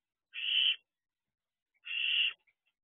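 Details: Two drawn-out, breathy hissing screeches from barn owl owlets sitting outside their owl box at 3 a.m. on 2 June 2023, about one and a half seconds apart, with silence around them.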